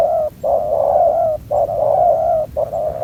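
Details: ['Aggressive young spotted dove, still lacking its full neck collar, at a ground decoy trap: long, drawn-out hollow coos with short gaps between them, steady and low-pitched.']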